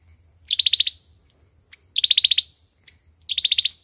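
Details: Olive-backed sunbird's fighting song, three crisp bursts of six or seven fast, high, chipping notes, with brief single clicks between them.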